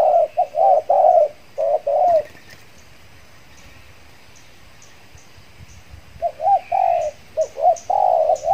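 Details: Spotted dove kept as a decoy for luring wild doves in the Riau Islands, Indonesia, after moulting; quick hoarse coo phrases open and close the recording, separated by a quiet stretch with faint rustling.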